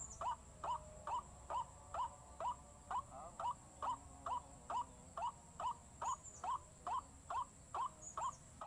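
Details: Even, insistent series of rising calls from a white-breasted waterhen, about two notes per second, played as a lure, with a continuous thin hiss in the background.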